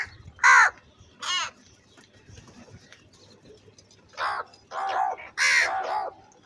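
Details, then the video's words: Crow giving angry, loud calls: two harsh caws in quick succession, a pause, then a cluster of four coarse caws near the end, with faint background noise. "Very loud voice of Crow sound - Angry kauwa ki awaz"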